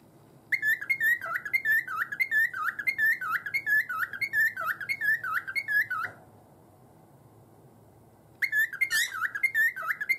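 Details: Caged cockatiel whistling between bouts of banging its cage: a run of clear whistled notes with sharp clicks, repeated about every two-thirds of a second, a quiet gap of about two seconds, then the pattern resumes indoors.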